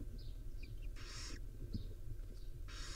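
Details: Wild barn owl family at the nest, a mother grooming her five owlets; two loud, harsh, noisy hisses about a second and a half apart, with faint squeaky chirps between them over a steady low hum.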